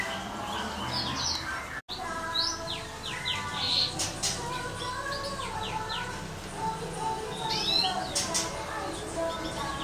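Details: European goldfinch × Timbrado canary hybrid, first clutch from a caged pairing. Thin, high chirps sweep downward in quick clusters. Some notes are repeated, with a brief dropout near two seconds. Low household hum runs beneath.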